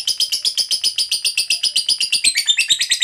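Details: Long 'ngekek panjang' chatter of a lovebird fighter, used to provoke other lovebirds: a dense, harsh, buzzy trill of about four notes a second, steady throughout three seconds.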